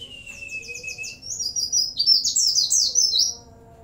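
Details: Oriental white-eye singing loudly, its song filled with CiLiLin, bren and cigun phrases: rapid descending high chirps over a level whistle lead into a dense, loud tumble of sharp high sweeping notes before it fades.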